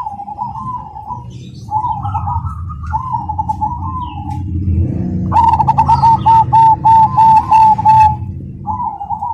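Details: Cemani zebra dove in full song, known for a rhythmic, loud and clear voice. Warbling coos open, then a fast run of about eight crisp, evenly spaced clipped notes, then more coos. A steady low hum runs beneath.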